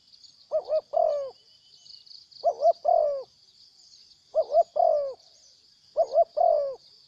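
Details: Wild spotted dove in Cambodia that came in and then left, cooing four times in a row: each phrase two short coos and a drawn-out falling note, spaced about two seconds apart, with steady high insect buzzing.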